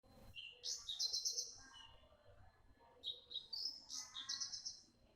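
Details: A young Javan bush lark sings sharply and persistently: a thin whistled note, then a rapid run of high, buzzy trilled phrases, a brief pause, and a second similar high sharp sequence.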